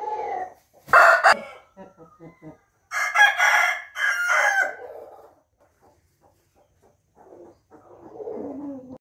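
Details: Rooster crow recorded on 28 June 2021: a loud, harmonic, drawn-out crow with sharp bursts near one and three seconds, followed by softer clucking notes and a low murmur at the end.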